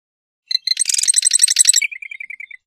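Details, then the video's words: Marsh wren song: a few separate high introductory notes, then a dense, buzzy, rattling trill lasting about a second, ending in a quick series of lower, evenly spaced chips that fade away. "Marsh Wren Song! Marsh Wren Call! Marsh Wren! - Cucarachero Pantanero Canto"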